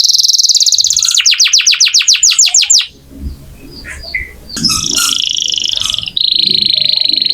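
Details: Vigorous canary song used to train magpie-robins: a fast high trill and a run of falling notes, a short break with faint background noise, then resumed bright buzzy tours.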